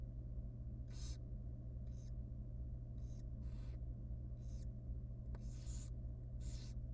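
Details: Tiny young wild barn owl chick in a research nest box during feeding, making rasping hissy bursts, roughly eight in seven seconds, irregularly spaced, with a constant low hum and a faint click.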